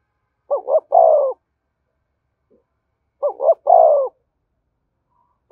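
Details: Spotted dove giving the urging coo for stimulating decoy birds and training lure birds: two phrases of two short rising hoots and a drawn-out falling coo, about three seconds apart, against silence.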